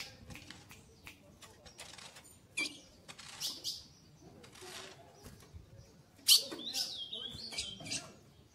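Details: Caged female ultramarine grosbeak calling to solicit mating. Bursts of sharp, high chips, some in quick pairs, with soft fluttering wing sounds and a brief wavering whistle near the end.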